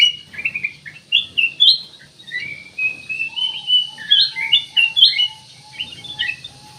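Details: Black-crested bulbul pouring out rapid warbled chirps in a steady chatter, over a faint repeated lower piping note and low background hum.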